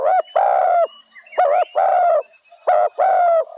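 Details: Spotted dove calling in quick succession: three phrases, each a short clipped note leading into a longer warm coo. A faint high chirp sounds between them.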